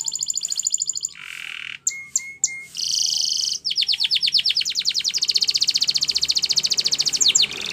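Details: Timbrado canary training song from Spain's breed: a rapid metallic trill, a few clear lower whistled notes, then a long accelerating series of rolling, bell-like pulses.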